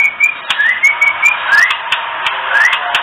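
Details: Kretekan of a female oriental magpie-robin, a call meant to stir males into breeding readiness: upslurred whistles alternating with flat whistled notes, interspersed with crisp clicking ticks at an uneven pace.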